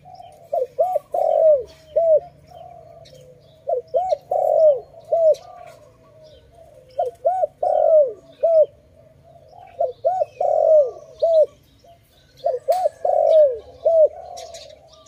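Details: Dove calling loudly during bird trapping, later released; phrases of three to four rapid arching coos repeat every two to three seconds over a quiet background with faint chirps.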